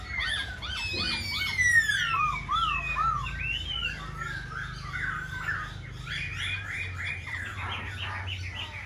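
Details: Black-throated laughingthrush singing while fanning its wings and tail: a rich run of loud, clear whistled phrases, slurred rising and falling notes tumbling quickly one after another, with a low steady hum underneath.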